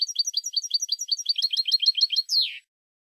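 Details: Well-known Spanish European goldfinch song recording: rapid twittering run of repeated ringing notes, ending in a buzzy descending slur.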